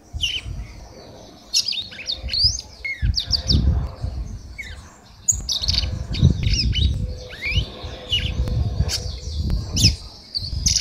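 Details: Song of a female red-cowled cardinal that sings the same as a male: repeated bursts of crisp chirps and whistled slurs, varied and lively, with a continuous low rumble beneath.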